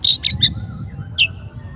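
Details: Oriental magpie-robin calling its rival with a few loud buzzy chirps followed by a single downslurred note, low rumbling noise beneath.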